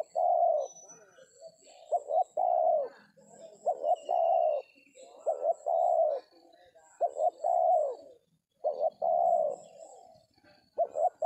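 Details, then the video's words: Spotted dove (tekukur) coos during dove trapping with a decoy in an oil palm plantation; loud hoarse coo phrases of short notes and longer drawn coos repeat steadily, with faint high chirps from other birds. "DAPET TARGET TEKUKUR TERBAIK, SUARA KOMPLIT"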